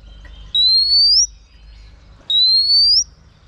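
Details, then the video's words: Whistle of a female oriental magpie-robin spurring a male: a pair of clear, sustained upslurred notes, each ending in a slight upward flick, separated by near silence. "chòe than mái HUÝT KÈM THÚC TRỐNG.chòe than mái kích trống căng lửa.chim chích chòe than mái hót"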